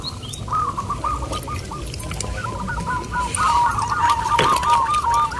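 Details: Local zebra doves competing in a singing contest at Bukit Mengger, Sindet, Bantul, Yogyakarta: rapid rippling trills of repeated short notes, several birds overlapping, growing louder near the end, with crowd chatter and background noise.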